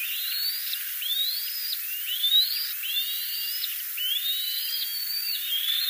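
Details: Black-winged kite (Elanus caeruleus), call.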